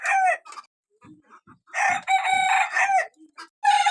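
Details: Small pet roosters crowing: short harmonic crows with a drawn-out middle section, a brief crow at the start and another beginning at the end, with soft clucks and faint murmurs between.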